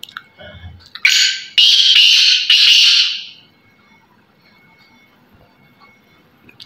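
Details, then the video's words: A caged black francolin gives a loud, harsh, grating call in three rasping bursts over about two seconds, then falls quiet apart from faint room noise. "Lakh titar bandy ka mastal pure sindhi titar"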